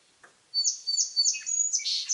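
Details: Song sparrow singing in a quiet setting: a faint low note, then repeated bright slurred opening notes leading into a fast, buzzy, high-pitched warbled ending.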